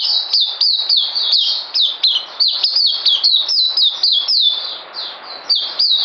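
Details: High, rapid twittering from an oriental white-eye (puteh): bright falling chirps tumble one after another in a busy run, easing briefly before a final burst of notes.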